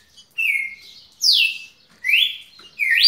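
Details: A pet red-cowled cardinal singing without stopping for a minute and 23 seconds: loud, clear whistled phrases, some rising and some falling, about one every second, with no other sounds.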